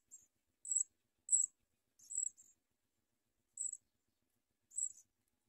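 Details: Begging from house sparrow chicks at feeding time, as they bite at their mother: thin, high-pitched squeaky chirps, six bursts spaced irregularly over several seconds, nothing else audible.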